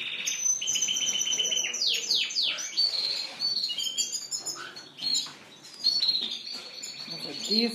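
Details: Caged Spanish Timbrado and Gloster canaries in a bird shop on April 9, 2016, pouring out loud rolling trills, steep sweeping whistles and rapid chattering phrases from several birds at once.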